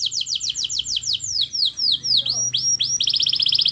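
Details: Canary master song meant to get other canaries singing: quick descending chirps, then slower falling whistled sweeps, ending in a fast high trill.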